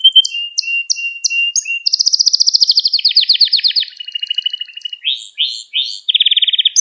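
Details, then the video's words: A Gloster canary sings to stimulate other canaries, repeating short notes over a steady thin whistle, then a dense trill falling into rolling phrases, a run of rising sweeps and a final quick trill. "Gloster Kanarya Sesi Ve Ötüşü"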